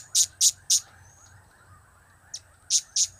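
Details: Serindit, the blue-crowned hanging parrot, with its cap-cap, kiak-kiak and crap-crap calls: three sharp high-pitched notes in quick succession, a pause of over a second, then a faint note and two more piercing chips.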